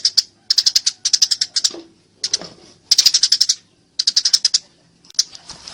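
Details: Eurasian tree sparrow calls used as a training recording, described as fighting and loud: bursts of rapid, harsh, high chirps in quick rattling series, separated by short pauses, with faint low background noise.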